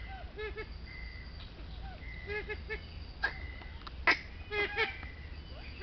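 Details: Flock of Siamese firebacks (about 7 males plus females) in the morning around 8am at Sakaerat Biosphere Reserve, Thailand, giving short, nasal, quacking notes in quick runs, with a few sharper, louder calls toward the end over a low rumble.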